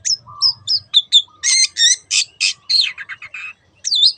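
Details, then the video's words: Long-tailed shrike singing in the 'teot teot' style, used as a lure to make other birds sing: a low whistled slur, then high thin whistles and harsh buzzy, chattering bursts in quick succession over about four seconds. "SUARA BURUNG CENDET TEOT TEOT pancingan AGAR BURUNG MANAPUN IKUT GACOR"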